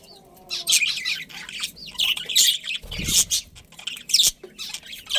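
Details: Budgerigars in a breeding colony, a pair among them, giving short harsh squawks and bright chirps in quick irregular bursts, with brief quiet gaps between calls.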